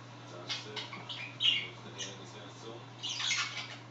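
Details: Quiet home budgerigar chatter, two birds talking while another scratches: sparse soft chirps and clicks with a brief louder squeak near the middle and a raspy burst near the end.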